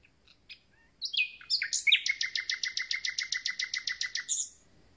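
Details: Recently arrived common nightingale opens with scattered soft notes and a few rising whistles, then launches into a rapid, rhythmic burst of repeated harsh pulses roughly six per second before stopping abruptly.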